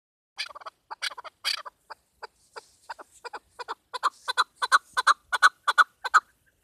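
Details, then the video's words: Female chukar partridge giving a call used in hunting: a run of short, harsh clucking notes, a few louder irregular ones at first, then about a dozen evenly spaced chuks building in strength over six seconds. "keklik sesi shikari dasi chakor hunting sound"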